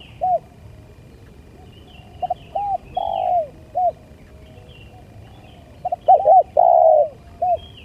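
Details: Spotted dove calling to lure birds: scattered soft arched coos, then a louder cluster of quick notes and a longer falling coo, with faint high chirps of other birds in the background.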